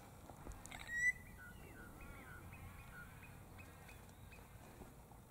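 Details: Spiny-cheeked Honeyeater, identified by its call, recorded in the afternoon, giving a sharp rising whistle, then a run of soft, liquid, slurred notes over about three seconds, against quiet outdoor background noise.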